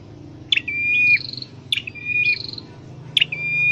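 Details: Scarlet-headed flowerpecker in a cage, trained to sing: three phrases of a short sharp note leading into a drawn-out even whistle, with a constant low rumble underneath.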